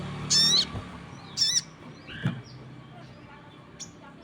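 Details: Crested jay calling while other birds answer. Two loud, rasping notes about a second apart are followed by a lower, softer downslurred note and fading faint chips.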